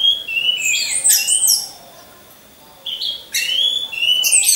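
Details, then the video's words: Orange-headed thrush song as a training lure: rich whistled phrases with sharp upward and downward sweeps, a pause of over a second, then renewed loud varied whistling. "Pancingan Burung Anis Merah"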